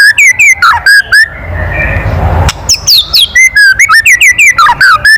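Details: White-rumped shama kretekan, a loud provoking call used to make other birds sing: rapid strings of sharp, slurred whistles, briefly interrupted by a burst of rushing noise, then continuing in quick repeated notes.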